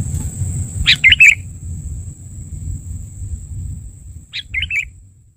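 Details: Sooty-headed bulbul call used as a trapping lure: two bubbly three- to four-note phrases, the second softer, about three seconds apart, over a thin constant whine and low rumbling noise.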